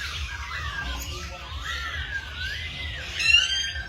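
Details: Bird singing in the morning, a sequence of clear, sliding whistled phrases rising and falling, ending in a brighter, higher twittering flourish, over a low background rumble.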